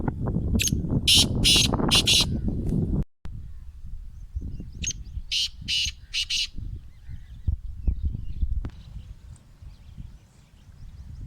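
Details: Black francolin, kala teetar, of a Gangas Laka cross described as extra large size, giving a harsh call of four grating bursts. After a short silence, a second bout follows. Low rumbling background noise is present throughout.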